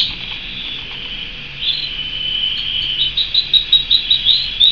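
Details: Pet canary singing. A steady, thin, high tone swells into a trill of rapid pulses about three per second, getting louder toward the end.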